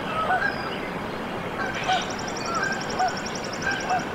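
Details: Canada goose goslings just hatched in their nest, Decorah, Iowa, USA, 14 April 2024: brief soft upturned peeps come in pairs, four in total, while another bird's rapid high trill runs in the background amid constant hiss.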